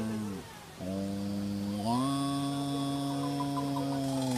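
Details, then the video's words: A very talkative capuchinbird gives a low, droning moo-like call. Rich harmonic tones hold steady, break briefly, then step upward into a long sustained hum. "Talking Capuchin Bird"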